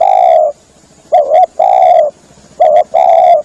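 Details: Spotted dove call used as a hunting lure to draw in doves: loud, low mellow cooing phrases, a short doubled coo followed by a longer drawn-out coo, repeated after brief pauses.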